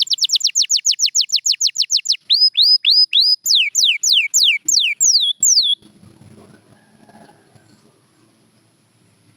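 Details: A champion canary sings a fast trill of short falling notes, then slower rising whistles and sweeping downslurs. The song stops halfway through, leaving faint room noise.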